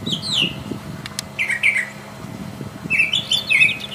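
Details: Wild Brown Thrasher in vigorous song, delivering downslurred phrases in separate bursts, a doubled mid-pitched phrase, then a loud complex tangle of high notes, with low rumbling underneath.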